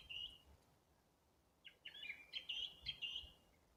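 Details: April birdsong as the birds gradually start singing again: one brief whistled note, a pause, then a quick jumble of high chirping, twittering phrases, with faint background hum.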